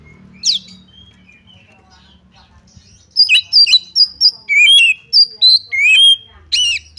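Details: Oriental magpie-robin song used to goad another bird into a fight: after a quiet start with one sharp note, a rapid run of loud whistled phrases and rising and falling notes fills the last four seconds.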